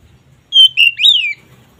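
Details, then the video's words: Kacer, the oriental magpie-robin, giving a 'ngeplong' phrase meant to raise mating drive: one long level whistle sliding into a rising, then falling sweep, clean and without background sound. "Suara BURUNG KACER Ngeplong ini sangat ampuh untuk menaikan Birahi kacer"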